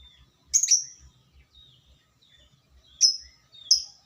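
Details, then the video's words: Lovebird ngekek, used to provoke other lovebirds into singing: sharp, high, shrill chirps that each slide down, heard three times at uneven gaps, with faint softer chirps and a low regular ticking in the background. "Pancingan burung lovebird biar ngotot tanpa jeda ngekek terosss!!"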